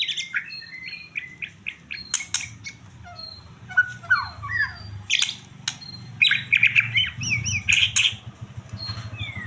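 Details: White-rumped shama in full varied song: quick whistled notes, clicks and chattering phrases, then a run of looping zigzag whistles, with low background rumble.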